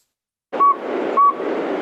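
A Northern Saw-whet Owl gives two clear, mellow whistled toots about half a second apart, over a steady hiss of background noise.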